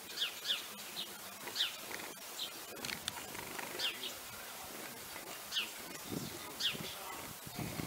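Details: Fieldfares during their courtship season give short, squeaky, high notes in ones and twos, roughly every second, over a faint rustling, breezy background.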